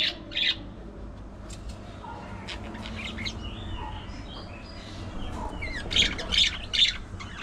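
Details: Budgerigar chatter: short bright chirps near the start, then a quick run of three sharp high notes toward the end, with quieter scratchy sounds between.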